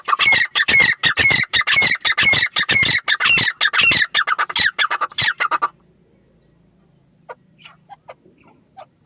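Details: Grey francolin giving a loud, harsh, rhythmic call: rapid grating notes repeated about twice per second for nearly six seconds, then breaking off into near silence with a few faint, distant notes.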